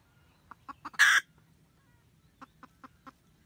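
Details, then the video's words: A red junglefowl hen guarding the nest calls the rooster with a cackle, 2020-2021: a few soft clucks lead into one loud, coarse squawk, then a quiet gap and four spaced clucks. "Gà mái rừng cục tác gọi trống canh tổ"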